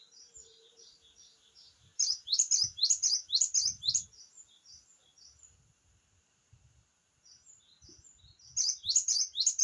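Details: Java sparrow song: bursts of crisp, bell-like chirps repeated quickly, a calmer middle with soft, evenly spaced tinkling notes and faint clicks, then another rapid chirping burst.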